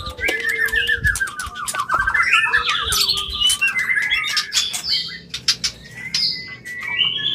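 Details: Shama mating sound, white-rumped, meant to bring a bird into breeding condition: a descending series of rapid whistled notes, then scattered chirps, clicks and a few long thin whistles.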